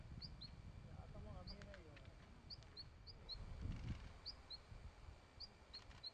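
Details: Long-tailed rosefinch at flowering quince giving thin, high two-note whistles, the second lower, repeated every second or so over a steady low rumble and faint voices.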